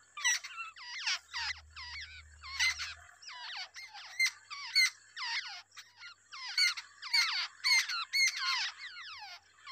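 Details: Two babbler chicks being fed by a wild adult at the nest give harsh, buzzy squawks in quick bursts, roughly two per second, irregular and overlapping, with a brief low hum partway through.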